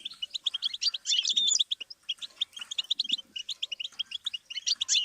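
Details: Goldfinch singing for song-learning practice: dense, liquid twitter of rapid high chirps and buzzy trills, with a louder jumbled burst early on and a faint low murmur in the background.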